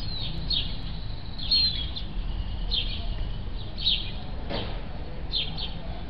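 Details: Gull chick, thirty days old, living in a house: short, high, descending whistles in loose clusters every second or so, with a constant low background hum.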